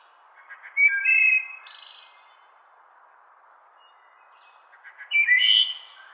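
Two flute-like wood thrush phrases about four seconds apart, each opening with soft low notes and ending in a high, shimmering trill.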